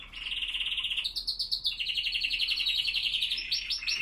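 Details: Spanish Timbrado canaries singing in cold morning air, 5°C, 87% humidity, 07:46 am; a steady rapid pulsed trill, briefly jumping higher, then resuming as an even rattling roll of high notes.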